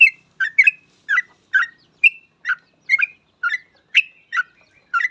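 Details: Yellow-vented bulbul in energetic song, used to draw other bulbuls into singing; clipped, liquid chattering notes, some paired, repeated roughly twice a second for five seconds, with a clean, silent background.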